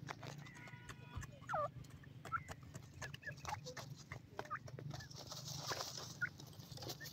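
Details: Grey francolin chicks around ten days old feed on green grass, uttering a few sharp descending peeps and short chirps, spaced unevenly, against a low background hum and soft hiss.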